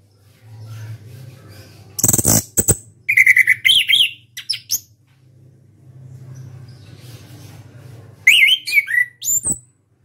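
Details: Champion orange-headed thrush kept caged in Indonesia, producing a harsh rasp followed by wavering slurred whistles and, later, a fast burst of high chattering and mimicked notes over a steady low hum.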